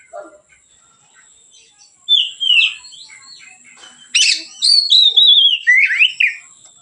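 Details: Kacer, the Oriental magpie-robin, in relaxed ngeplong singing used as a tutor lure; short whistled phrases, a pause, then a harsh note and a run of clear descending and rising whistles, faint high tone throughout.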